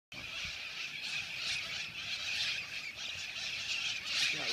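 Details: Hundreds of wild, non-native parrots, of unidentified species and possibly Amazona, fly overhead in Highland Park, Los Angeles: a dense, continuous wash of harsh, high screeches and squawks swelling and fading in waves.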